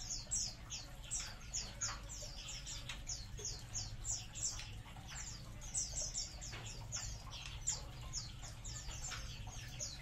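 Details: Colony of munias calling together: a steady stream of high, thin downslurred chips from many birds, overlapping almost continuously, with a low background hum.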